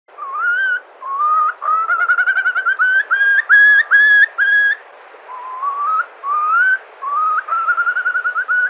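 Far Eastern curlew giving rich, rising whistled notes, several running into a quick bubbling series midway, with brief pauses between phrases.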